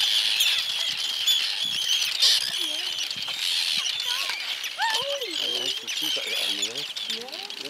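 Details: Arctic terns attacking intruders near their nests on the Farne Islands, North East England: harsh, rasping screeches from several birds overlap throughout, with a person talking and wingbeats audible in the second half.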